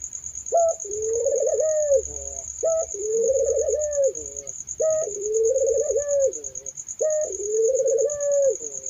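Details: Barbary dove: four phrases of clipped note plus rolling, wavering coo at even intervals, soft low hum and a persistent high-pitched whine in the background.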